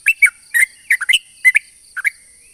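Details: Sooty-headed bulbul lure song meant to attract other bulbuls. Clustered liquid whistled notes sweep down then up in short bursts, with a longer pause before a final pair and a faint rising whistle. A steady high hum persists throughout.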